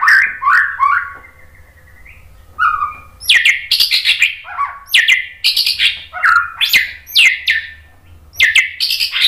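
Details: Song of a white-rumped shama, played to trigger singing in other birds: loud varied phrases mixing rising whistles, harsh high chips and scratchy notes, repeated in quick bursts with short gaps.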